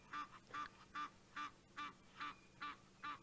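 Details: Egyptian geese alarm calling at a leopard near a dam at sunset in Djuma Game Reserve, giving a steady series of nasal honks about every half second, eight in quick succession.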